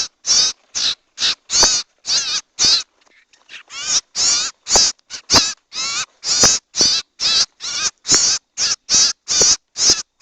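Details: Owl lure recording: rough, hissing screeches delivered rapidly, about two each second, with a quiet gap of roughly a second near the start before the calls continue unbroken.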